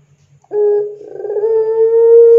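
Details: Puter pelung dove, a lure recording for training doves: one long, steady, hooting coo held at a low pitch, rising slightly and stretching out for almost two seconds after a brief quavering start.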